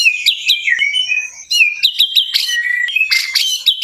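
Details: White-rumped shama delivering bright whistled notes and quick chirps, with slurred falling phrases, short rapid trills and occasional harsh bursts running continuously through the passage.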